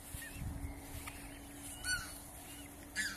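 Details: Mute swan (Cygnus olor) at a breeding farm gives a few short, hoarse, snorting calls about a second apart, over a steady low hum and soft background rumble.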